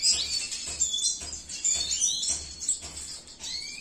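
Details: Captive male Venezuelan siskin of the cinnamon mutation singing a continuous high twittering song of rapid chirps, trills and thin rising whistles, with faint low thumps in the background.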